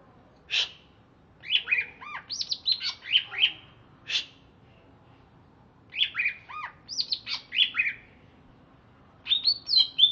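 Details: Captive greater green leafbird from Alas Purwo, Banyuwangi, singing right after a bath, with repeated phrases of sharp clicks and quick bright upslurred and downslurred whistles, delivered in three bursts with short pauses.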